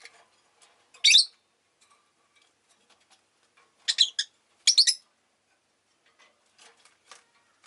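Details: Several pet rosy-faced lovebirds, fairly vocal this day: one sharp, shrill chirp, then a pair of quick harsh chirps about three seconds later, with faint ticking and rustling between them.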